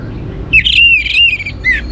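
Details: An Orange-headed thrush (Geokichla citrina) sings loud, clear whistled phrases that slide and waver in pitch, after a half-second pause, over a low background rumble.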